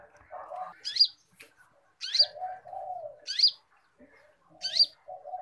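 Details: A cage-bird training recording of a lively konin. Four sharp rising whistles, spaced about a second apart, with short nasal low notes between them.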